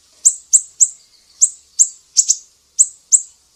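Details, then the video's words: Sumatran mangrove whistler master recording for teaching songbirds, 'besetan' style: single piercing high chips repeated about every third of a second, one doubled note, brief gaps between, clear background. "SIRI SIRI SUMATRA, BESETAN PEDIH"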